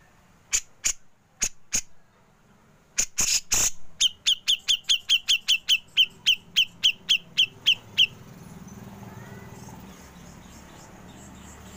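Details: Grey-cheeked bulbul singing in the ngepik style, used to train songbirds. A few dry clicking bursts lead into a long, even series of about sixteen sharp, high pik notes, roughly four per second, then the notes stop and a low hum remains.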